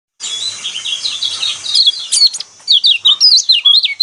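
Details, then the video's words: Lemon-bellied white-eye song used to provoke caged birds into singing: high, rapid chattering twitters, then sharp zigzag whistled notes repeated about twice a second in the closing two seconds. "burung pleci kecial kuning mana yang nggak kepancing emosinya dengan suara seperti ini"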